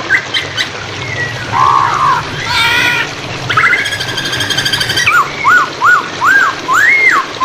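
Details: Hwamei song used as a training recording for caged songbirds, set over flowing water: varied clear whistled phrases, then a run of four or five repeated arched whistles, with splashing water clicks throughout.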